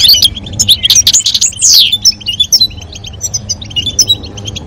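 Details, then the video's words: European goldfinch, male song with female calls to stimulate mating: opening burst of loud, jangling twitters and a swept trill, followed by softer spaced chirps. "نذاء أنثى الحسون وتغريد الذكر لتزاوج La llamada del jilguero hembra y el canto del macho"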